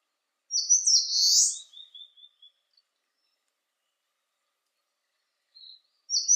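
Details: On a sunny 19°C day, an Eastern crowned warbler sings one high, buzzy, slurred phrase followed by a trail of short soft notes, then begins another phrase about five seconds later.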